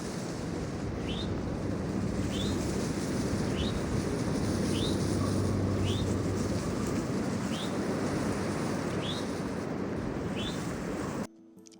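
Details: An Eastern Towhee at a Hellcat parking lot in Massachusetts, on a freezing, snowy winter day, gives a thin, upslurred call about eight times, roughly once every second, over strong wind rumble.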